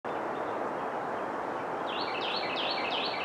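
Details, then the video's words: Black-and-white Warbler recorded in Augusta, Georgia on 2 May 2014, singing a thin, high, squeaky series of quick paired notes, weesee-weesee, over a steady roar of wind or traffic noise. "Black-and-white warbler"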